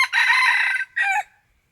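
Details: Red junglefowl crowing during decoy hunting, recorded 21 March 2020: one loud, harsh, strained phrase held under a second, then a short second note that cuts off abruptly, with silence after.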